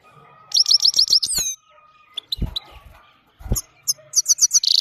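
A goldfinch gives bursts of quick, high, tinkling twitters, six or seven notes in a fast run, then pauses, with a few soft knocks in between.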